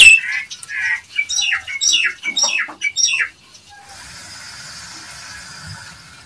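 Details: Provoking call of a Nias hill myna aimed at rousing rival mynas: a quick sequence of loud, clear whistled and chattering notes, ending abruptly and leaving a steady faint hiss.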